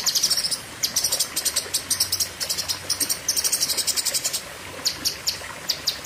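Lesser green leafbird delivering long, rapid volleys of sharp, high chips and trills, with only brief gaps between bursts.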